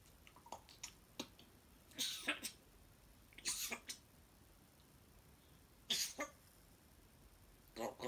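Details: A pet talking grey parrot in the morning makes short, breathy, hissing bursts of speech-like sound in pairs every few seconds, with faint clicks between them, in a quiet room.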